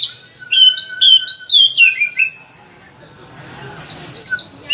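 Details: Oriental magpie-robin delivering a vigorous, phrase-rich master song to stimulate other magpie-robins: a fast series of clear, repeated whistled notes on alternating pitches, a quieter noisy gap, then renewed twittering.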